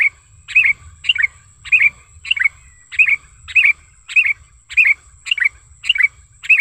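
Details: Sooty-headed bulbul recorded in the wild as a lure sound, calling energetically: short bright chirps, each a quick two-part twist, repeated about every half second to second, over a steady thin high whine and faint low rumble.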